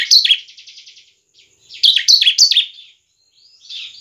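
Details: Bar-winged prinia (ciblek) singing to draw in other birds: a sharp chirp trailing into a fast soft trill, then three loud descending chirps and a quiet buzzy phrase at the end.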